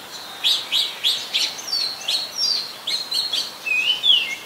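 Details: Oriental magpie-robin, a very common resident, singing in Ubon Ratchathani, Thailand, on 24 December 2020: series of short clear whistled notes repeated about every third of a second, ending in a longer slurred falling whistle.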